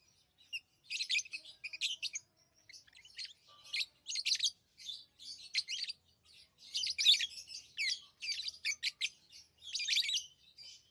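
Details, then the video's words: Chirping from tamed pet lovebirds: clusters of shrill, buzzy chirps with quick twitters, starting quiet and growing busier, bursts roughly every half second to second; nothing else heard. "Love birds Sounds | lovebirds chirping sounds"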